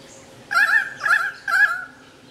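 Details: At Manly Dam National Park near Sydney, pied currawongs trill excitedly around a Powerful Owl that holds prey, probably a possum: three short, wavering, slightly nasal trilled notes about half a second apart.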